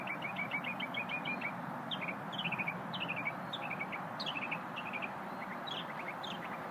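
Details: Unidentified small bird singing on a lunch break: a fast stuttering string of short high chirps, then several paired downslurred notes repeated roughly every half second, over steady background rumble.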